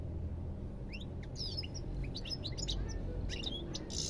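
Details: European goldfinch singing: a rapid, tinkling twitter of short chirps and quick upward slurred notes that runs almost without pause, over a steady low rumble of background noise.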